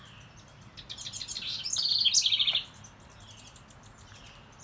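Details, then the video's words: Wren, described as female, singing near a birdhouse: a jumbled burst of high notes that runs into fast, buzzy, even trills. Between songs a steady series of very high, thin chirps repeats several times a second. "Listen close & you can hear the wren say she likes this house"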